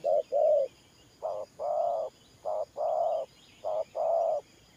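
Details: Spotted dove giving 'thổ pha' style coos: each brief soft hoot leads straight into a longer, steady coo. Pairs repeat at slightly uneven intervals, with faint bird chirping behind.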